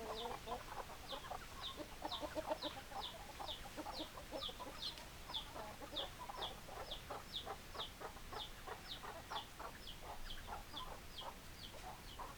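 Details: Hens clucking steadily, a long even series of short clucks repeated about twice a second, each with a sharp high click, over a faint constant hiss.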